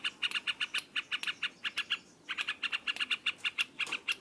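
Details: Loud ngropol-style singing of a yellow-vented bulbul: quick sharp chirps in rapid runs, a short pause near the two-second mark, then the rattling bursts resume.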